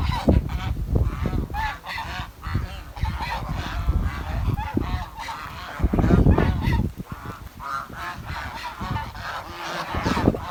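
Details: Several village swans honking almost nonstop, roughly three or four nasal calls a second in an uneven rhythm, with rumbling low noise throughout.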